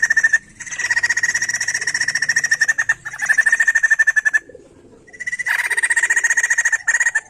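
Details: White-crested laughingthrush in song, played to stimulate songbirds: long, fast, pulsed chattering series broken by short gaps, the notes coming in an even, rolling stream.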